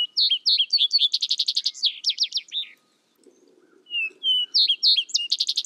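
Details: Vesper sparrow song: two songs of clear whistled introductory notes followed by fast, high, rattling trills of evenly repeated notes, separated by a brief pause with a faint low murmur.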